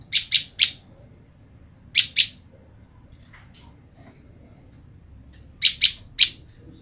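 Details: Female olive-backed tailorbird calling her separated male: emphatic sharp chips in rhythmic clusters of three, two, then three, with short silences between groups and little else heard.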